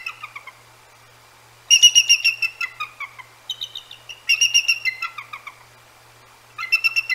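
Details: Bald Eagles of the Decorah North Nest, awake at about 10 p.m. in January, vocalize at hooting Great Horned Owls: repeated high chattering phrases of quick descending whistles, coming in several bouts with short silences between.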